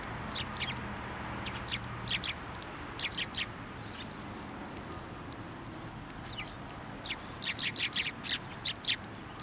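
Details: Sparrows gathering at a shrine on 1 January 2024 to be fed from a post. Scattered, high, sharp chirps come in loose bursts, busiest near the end, over a steady low background hum.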